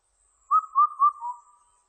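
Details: One clean phrase of Indian cuckoo song: three quick, evenly pitched whistles and a fainter, lower final note, with nothing else audible.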